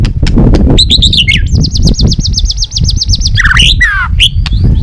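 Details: Lure song of a Balak 6 white-rumped shama for bird trapping: high rapid repeated wavering notes in a steady trill, then tumbling downslurred phrases and harsh chips, over a constant low rumbling background.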